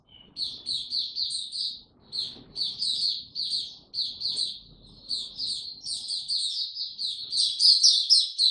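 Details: White-eye song recorded on 26 March 2022 in warm, very humid weather: bursts of fast, high-pitched twittering separated by short pauses, building toward a louder, denser chatter at the end over a faint low background rumble.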